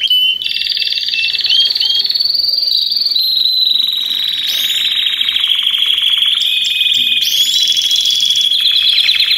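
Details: Several Belgian canaries singing at the same time, used to prompt other canaries to sing; long bright trills shifting in pitch every few seconds, overlaid with short rising whistles from other birds.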